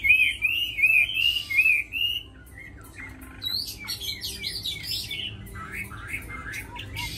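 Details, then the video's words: Chinese hwamei, tame and known as a good fighter and singer: loud wavering whistled notes repeated about four times, then softer scattered chips and short downslurred whistles. "Mi thuần đấu tốt hót hay"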